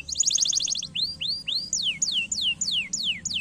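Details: Canary singing as a stimulating training song: a quick buzzy rattle, then upward-arching whistles followed by sharp downward slurred notes repeated roughly every third of a second.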